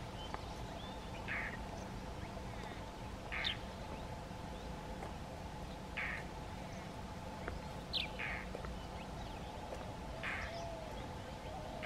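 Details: An Indian roller at Agar Malwa, India, recorded in the morning, gives harsh, rasping croaks one every two to three seconds while moving its tail feathers, over a steady background hum and low rumble.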